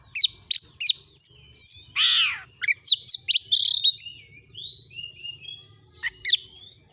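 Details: Oriental magpie-robin singing in a clean training recording meant to rouse caged birds: rapid high chips and whistles, one long harsh rasping note midway, then wavering whistled phrases and scattered sharp notes.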